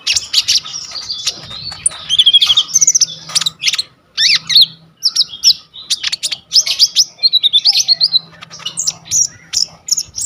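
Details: Brown-throated sunbird (kolibri ninja) in full varied song, used as a master recording to train other birds, captured on a phone: rapid high thin chirps, twittering trills and short rising squeaky notes in dense bursts, barely pausing.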